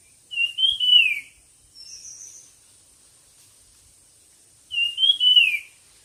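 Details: Bird song for a singing contest: a rising-then-falling whistle, a brief higher faint note, then the same whistle repeated after a long pause.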